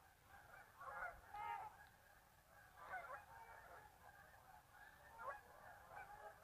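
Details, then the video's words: Many geese calling as they leave the marsh for an afternoon feed following a midday rest; dense clusters of nasal honks swell in waves around one, three and five seconds, continuous flock chatter between. "Geese Leaving Marsh"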